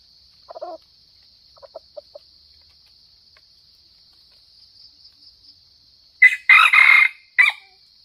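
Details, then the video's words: A lure red junglefowl from Sumatra utters a few soft clucks, then, after quiet, a loud harsh crow in broken bursts with a short final note, against a steady high-pitched insect buzz. "Mikat ayam hutan merah Sumatra"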